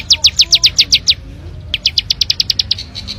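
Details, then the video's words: Plain Prinia in the wild with loud, clear ngebren singing: a quick burst of high, downslurred ticks, a brief pause, then a faster, tighter run of bright notes ending in short buzzy chips. "Suara Ciblek Sawah Ngebren Asli Alam – Jernih & Keras Bikin Burung Lain Ikut Bunyi"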